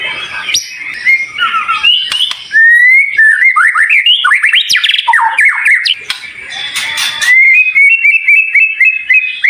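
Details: White-rumped shama song in a high-pitched tutor recording: bright rising whistles, jumbled chattering phrases, a harsh buzzy burst, then a rapid rippling series of even whistled notes.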